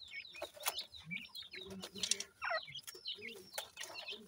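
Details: Francolin (teetar) chicks give a busy mix of sharp high peeps and chirps, some bursts louder, over soft low clucks and occasional flutter-like noise.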